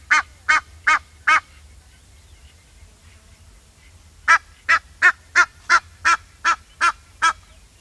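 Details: Egyptian goose honking in two bouts: four hoarse, nasal honks in a steady rhythm, a short lull, then nine more regularly spaced honks, each about a third of a second apart.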